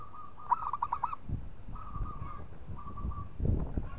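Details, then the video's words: Local zebra dove provoking a rival with song: a rapid rippling trill of soft coos, then two longer, even, drawn-out cooing tones, with low thumps and rumble beneath. "PERKUTUT LOKAL GAJOR JAGO MEMANCING LAWAN BUNYI"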